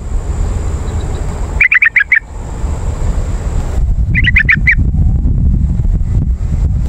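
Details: Yellow-vented bulbul lure call for drawing wild birds in forest or garden: two bursts of about five quick, bubbly, chattering notes, each burst under a second, with a steady low rumble and faint high hiss behind.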